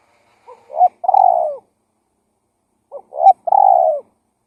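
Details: Cooing lure call of a spotted dove, two phrases about two and a half seconds apart, each of brief low coos leading into a drawn-out, slightly falling hoot; no other sounds.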